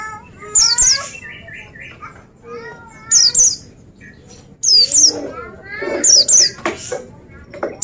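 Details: Piercing paired downward-sweeping notes of an Oriental white-eye recur four times, set against a busy background of lower warbled and trilled phrases from other birds.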